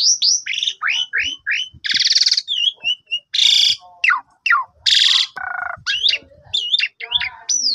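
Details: Jalak suren, the Asian pied starling, in a morning lure song to spur a sulking bird: fast upslurred chirps, loud harsh squawks, falling whistles and a low nasal note in a busy jumble.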